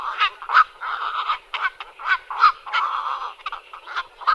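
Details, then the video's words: Black-crowned night herons in a busy chorus of harsh, guttural squawks and croaks, overlapping and continuous with short loud bursts throughout. "Голоса птиц: кваква, или ночная цапля"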